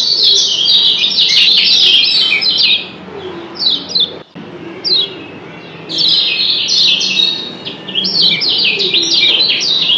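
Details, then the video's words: Yellow white-eyes of Lombok (kecial kuning) answering one another with double 'ciak' calls. Two long runs of high jumbled twittering are separated by a few isolated sharp chips, with one brief click between them. "Doble Ciak Kecial Kuning JOSS BERSAHUTAN‼️Bikin Yg Denger Pasti NYAUT‼️"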